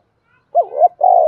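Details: Spotted dove used as a lure bird, calling to draw wild doves closer. A single brief, low coo phrase: a wavering double note, then a steady, rolling hum.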